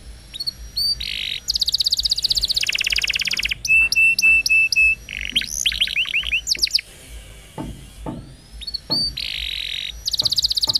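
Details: Canary singing a long song meant to coax other canaries into singing: dense rapid trills alternate with steady repeated piping notes and quick rising chips, one rolling phrase after another with short gaps.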